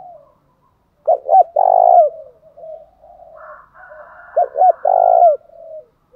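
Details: Spotted dove calling to provoke wild doves into singing: two loud phrases, each two short hooked notes followed by a long, steady, burry coo, about three seconds apart, with softer, lower-level cooing between them.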